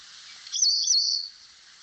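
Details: An African Pied Wagtail sings one bright, high, slurred whistled phrase lasting under a second, over a steady hiss of running water.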